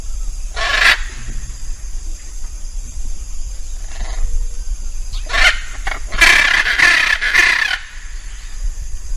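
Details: A hyacinth macaw gives loud, harsh, grating screeches: one early, two more midway, then a longer run of raspy squawks, over a steady high insect-like hiss.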